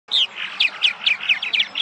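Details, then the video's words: Purple martins back at their nesting sites in Massachusetts in spring, after migrating from South American wintering grounds: bright chirps at about eight per second, each a short downslurred note, with a loud first note. "The Arrival of Purple Martins in Massachusetts"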